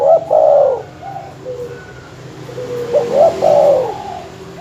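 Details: Terkukur or perkutut dove cooing as a lure to provoke rival birds: mellow, low hooting coos in two bursts a few seconds apart, each a quick run of rolling notes followed by a softer trailing coo, over a faint steady hum.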